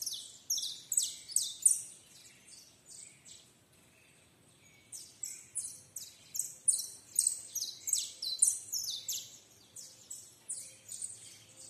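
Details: Canary (Serinus canaria), song.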